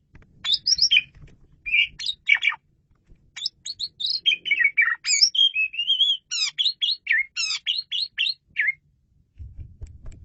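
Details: Asian pied starling song for luring birds, clear and loud: a long run of varied whistles, chatters and rapid repeated buzzy notes, rising and falling, ending with faint low background noise.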